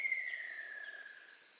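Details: Ruddy kingfisher in 2014, calling from thick, poorly visible woodland: a single clear whistled note that starts high and glides smoothly downward, fading out over more than a second against faint background hiss.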